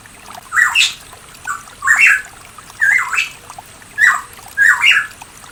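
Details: A pitohui, recorded around the mountains of East Java, gives five loud, slurred whistled phrases, each rising then dropping, repeated about once a second over a faint background hiss.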